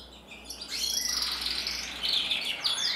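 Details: Singing male canary, red mosaic isabel, bred in 2024: after a quiet start, a short burst of sustained high trills and thin whistled slurs.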